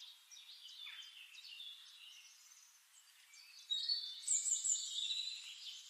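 White-faced whistling ducks give high, clear whistles, often in quick overlapping series; the calls grow louder and busier toward the end.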